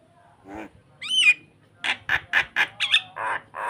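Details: Nodding starling provoking another bird, giving a low croak, a ringing whistled note, then quick harsh rasps mixed with a twangy squeak.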